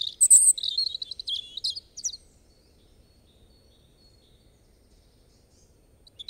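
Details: European robin singing a rich burst of high, thin warbled and trilled phrases for about two seconds, then near silence with a faint note at the end.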